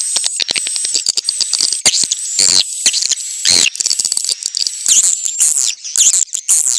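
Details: Original swiftlet mating call: rapid high clicking and twittering chatter in uneven bursts, with a thin sustained whistle-like tone running through and sharp clicks between phrases.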